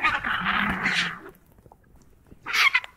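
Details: White-backed vultures at a carcass in Southern Africa give harsh, hissing squeals in a long rasping burst, then fall quiet before a shorter screechy outburst.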